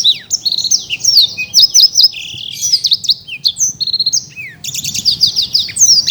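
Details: Energetic song from a winning caged Black-throated canary in Bekasi, a steady stream of high-pitched whistles, sweeps and quick trills with scarcely a pause.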